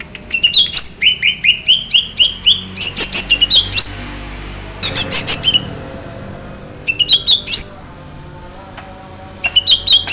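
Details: Greater green leafbird of the Banyuwangi type singing: rapid series of sharp, rising whistled notes and clicks, repeated in bursts with brief pauses, bright and high.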